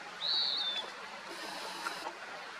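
A Virginia rail gives one thin, high squeal lasting about half a second, rising slightly then dropping away, over a steady rushing hiss like wind or water.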